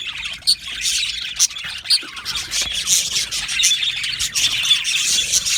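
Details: Budgerigars in an aviary colony, many birds chattering at once: dense, overlapping high chirps and warbles with a few sharper squeaky notes standing out, continuous throughout.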